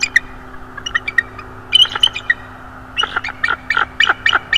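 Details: Young bald eagle visitor, roughly three to four years of age, at a northeast Florida nest in December 2022, calling in rapid, squeaky piping notes that build from scattered single chips into a quick run of sharp, shrill notes.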